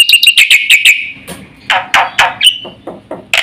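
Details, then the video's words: Black-winged starling in energetic full song, meant to prompt and tutor other birds: a quick run of bright repeated chirps, then several loud harsh rasping bursts separated by short gaps, with a brief clear whistle among them. "suara burung jalak putih GACOR FULL ISIAN paling cepat untuk PANCINGAN dan MASTERAN"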